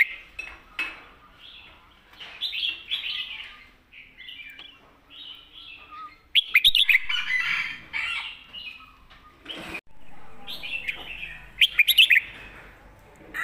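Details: Red-whiskered bulbul in loud southern master song: a continuous string of liquid whistled warbles broken by quick rattling runs of sharp chirped notes, with a few clicks.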